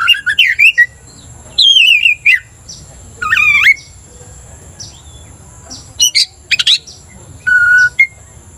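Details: Caged Oriental magpie-robin, provoked to aggression by a rival's song, sings slurred whistled phrases and harsh notes in short bursts, ending with sharp chips and a flat whistle.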